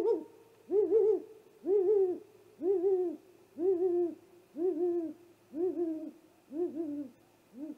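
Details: Great horned owl attacking a great gray owl at the nest, night of 30 March 2018, live nest camera: a run of eight loud arched hoots, about one per second, each slightly wavering.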